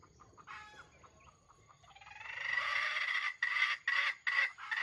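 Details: Red junglefowl used as a trap's bait bird crows with a stuttering, grinding voice: a harsh buzzy crow chopped into short bursts, preceded by faint soft calls from other birds.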